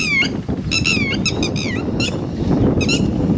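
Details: Red-wattled lapwing (titeri) near chicks giving short, shrill, slurred notes in quick broken sequences, with a couple of longer falling cries, over continuous low rumbling noise.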